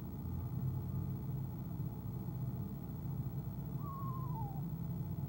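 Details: On an evening in January 2015, a female eastern screech owl in a camera-watched nest box gives a single tremulous call that drops in pitch, heard over steady low-frequency hum.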